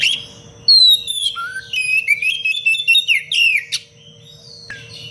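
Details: Energetic Oriental magpie-robin song in the 'cengkok rapat pedas' style, used as masteran to teach other birds. Rapid sliding whistles and sharp chattering notes run almost unbroken for three seconds, with a constant electrical hum beneath.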